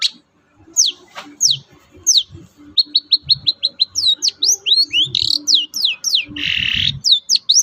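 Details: Long-tailed shrike singing in captivity, used as a lure to get quiet birds singing: sharp downslurred whistles, a quick series of short chips, then dense varied phrases with a harsh raspy burst late on, and soft low background knocks.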